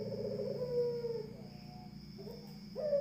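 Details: One drawn-out, husky coo from a Barbary dove fades away, followed after a pause by a rising start to the next phrase. A constant high hum runs underneath.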